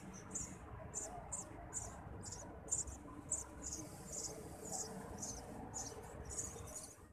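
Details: Nestling Eurasian tree sparrows begging for food from a parent: a string of shrill, high chirping bursts at about two per second, a faint low hum underneath.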